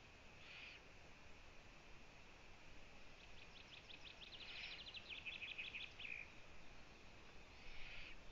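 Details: Female Eurasian eagle-owl visiting owlets at a Latvian nest, captured by a live camera on the afternoon of 1 June 2017: a fast, rattling series of high notes turning into a scratchy trill, with brief hissing calls before and after, under constant hiss.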